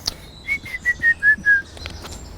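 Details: European green woodpecker giving its laughing call, somewhat distant, at dawn in March in mature mixed woodland in Abney Park, north Hackney, London: six ringing notes in quick succession, each dropping slightly, with faint birdsong behind.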